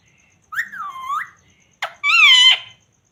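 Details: Talking parrot, a pet ringneck, producing two short voice-like utterances with nasal, wavering tones, the second louder and brighter, separated by a brief pause.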